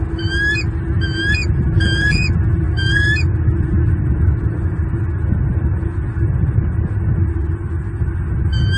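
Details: Male bald eagle hollering at an intruder in the nest tree, southwest Florida, February morning, protecting two chicks; four bursts of high stuttering piping calls early, then only strong low wind rumble.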